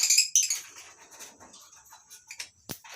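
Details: Lovebirds in a colony cage at a small breeding aviary in the morning give shrill, high chirps in a loud opening burst, then fainter scattered calls, with one sharp clatter near the end.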